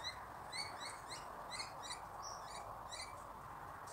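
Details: Wild Australian magpie in Australia giving short, high, chirpy notes in quick loose bursts, each with a bright ringing overtone, over a steady low hiss.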